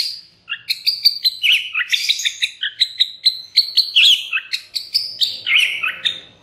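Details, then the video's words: Pancingan-style song of a white-rumped shama, meant to provoke other shamas into singing: a dense, rapid run of varied chirps and whistled notes, roughly three per second, some sweeping downward, sustained without pause. "cukup 3 MENIT SAJA, murai batu MANA SAJA Bakalan ikutan RAME dan BUKA PARUH dengan pancingan ini"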